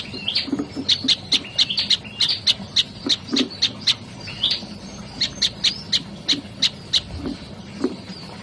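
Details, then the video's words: Olive-backed tailorbird singing: a long series of sharp, high chirps repeated about three times per second, some with short whistled slurs between them, over soft low knocking sounds. "KICAUAN SI MUNGIL PRENJAK LUMUT"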